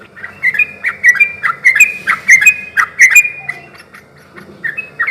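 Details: Yellow-vented bulbul song used to draw answers from other bulbuls: clusters of bubbly, slightly harsh notes, busy for three seconds, then sparser notes over a soft low background hum.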